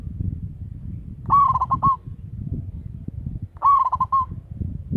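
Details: Local zebra dove kept as a lure caller, loud voice. Two cooing bursts about two seconds apart, each a rising note and a rapid stutter of mellow notes, with a noticeable low rumbling background.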